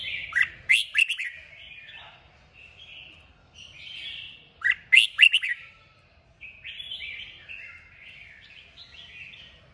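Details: Red-whiskered bulbul delivering strong kích bổi song to stimulate other bulbuls: two loud bursts of sharp chirps separated by soft warbled phrases, ending in a longer bubbly, wavering passage.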